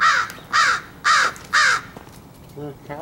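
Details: While being fed, a crow gives four loud, grating caws about half a second apart, followed by a person's voice.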